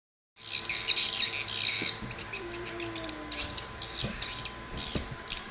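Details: Swiftlet call recording tested in Sabah: dense, high, buzzy twittering chirp bursts, about two a second, over a faint low hum.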